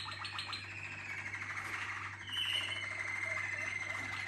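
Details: Malinois Waterslager canaries: brief clipped repeated notes at the start, then a swelling mix of trills and a long clear whistled tone from more than one bird, constant low hum.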